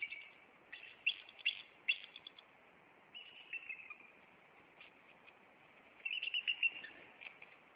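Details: Bald eagles in Maine on April 26, the nesting male flying at an intruder before perching on a branch; high, stuttering chatter in clusters, then a slurred descending note and a final quick piping burst.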